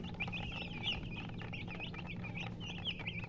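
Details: Several coloured chickens chirping: high, wavering peeps in quick irregular succession, a couple of louder sharp notes, and a constant low hum in the background.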